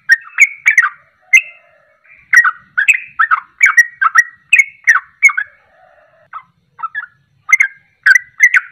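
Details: Sooty-headed bulbul in 'ropelan' song style, played as a lure to set other birds singing: quick bubbly whistled notes in short clusters, rising and falling, with brief gaps between phrases.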